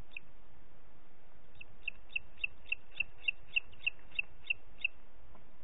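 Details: Booted eagle recorded 30 June 2021, 11:01, in Parc Natural dels Ports: a lone high pip, a pause, then a steady run of about twelve sharp, clipped notes over constant low rumbling noise.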